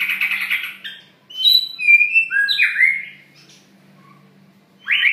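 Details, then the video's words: White-rumped shama, long-tailed, a strongly territorial bird, singing: a rough buzzy burst, then clear whistled notes stepping between pitches and upward-sweeping slurs, a pause, and a final rising whistle. "Murai Batu Ekor Panjang Gacoor Isian Mantabs"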